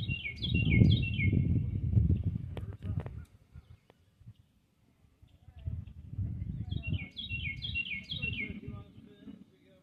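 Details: Orioles singing alongside a bumblebee: two bursts of bright, quick, high warbled notes stepping downward, about eight notes each, separated by several seconds, over a low steady rumbling hum.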